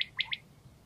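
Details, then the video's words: Calling male common quail gathering other quails: one quick burst of three sharp, high clipped notes in under half a second. "Bıldırcın Sesi | Quail Call"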